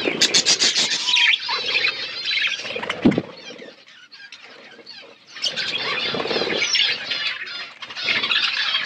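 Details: Budgies in an outdoor aviary, eating seeds: loud scratchy warbles and chirps, a sudden sharp knock, then a quiet pause of about a second before the busy chattering starts again.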